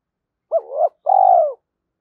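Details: Spotted dove call used to lure and stimulate other doves: a short two-part coo, a wavering low hoot followed by a longer, steady, buzzy-textured coo. No other sounds.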